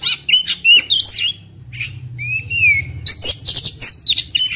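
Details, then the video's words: Agitated white-rumped shama in fighting mood, tail fanned, singing clear looping whistles and a long descending whistle after a brief pause, then resuming with bright rapid chips and slurred notes. "KACER NGAMUK | KACER NGOTOT | KACER NGOBRA | KACER BUKA EKOR | KACER TARUNG"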